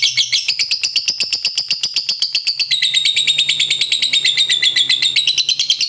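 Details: Lovebird long chatter (ngekek panjang) of a fighter bird, used to provoke other lovebirds to sing: rapid, shrill, high-pitched notes repeated about 94 times a minute in an unbroken trill, dropping slightly in pitch midway.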